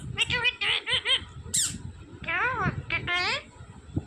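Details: A talking green parrot producing quick nasal syllables, a brief high squeak and a pair of wavering, speech-like calls, while people speak and laugh nearby.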